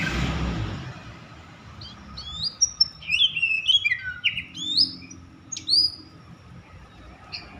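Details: An agitated Oriental magpie-robin sings to stir other magpie-robins into song. A rustling noise opens the recording, then bright rising whistles and quick chirpy notes come in short bursts, with a few isolated high notes near the end.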